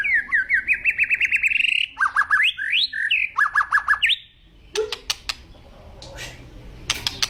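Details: Agitated white-rumped shama, said to be on the verge of raging, delivers fast series of rising, ringing notes repeated about three per second. These are followed by sharp clicking strokes and a short low note.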